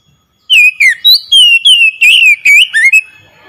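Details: Oriental magpie-robin song used as a lure to get a silent bird singing: a loud run of clear whistled notes, sliding and falling between high and mid pitch, about nine phrases delivered quickly after a short silence.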